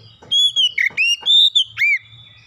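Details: Oriental magpie-robin song meant to lure birds into singing: a rapid run of clear, drawn-out whistles with dipping and rising slurs, sharp clicks between notes, over a soft low hum.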